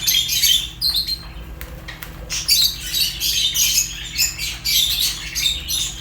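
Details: Chattering Fischer's lovebirds: rapid, high, squeaky chirps and squawks run almost continuously, many birds calling together over a faint steady low hum.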